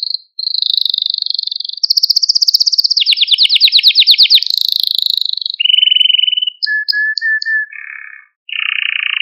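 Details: Maltese canary male delivering varied tours to stimulate other canaries and train youngsters: a steady whistled trill, a rapid rolling section, a lower buzzy roll, then spaced pure notes and a soft warbled ending.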